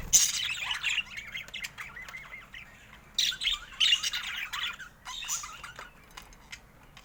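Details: A pet budgerigar playing with its owner. It gives bursts of bright scratchy chirps and a thin, drawn-out whistle, then falls quiet for a moment before further chattering phrases.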